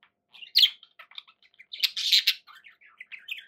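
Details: Pet budgies give sparse chirps and short warbled notes, a loud harsh squawky burst near the middle, then soft chirping again.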